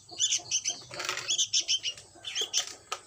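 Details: Sooty-headed bulbul chick calling with quick high chirps in pairs and triplets, interrupted around one second by a rustling flutter of wings.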